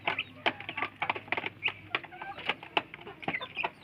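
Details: A flock of village chicken chicks competes at feeding time; short shrill peeps come rapidly and unevenly, interspersed with crisp clicks of pecking.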